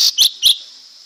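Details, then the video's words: Lesser green leafbird giving three rapid, bright whistled notes in quick succession, then a high hiss continues. "เสียงนกเขียวก้านตองเล็ก Lesser Green Leafbird Sound"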